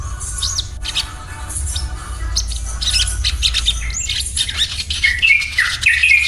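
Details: Crimson sunbird (sogon) in daily 'ngriwik' song, 'cuet cuet cuet': a busy run of high squeaky notes and rapid chirps, with brief rising and falling whistled slurs that grow louder toward the end.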